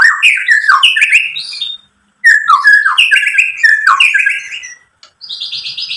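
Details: Song of a White-rumped shama, used to goad other shamas into song: quick tumbling whistles and chatters in two bursts, ending with a high buzzy trill.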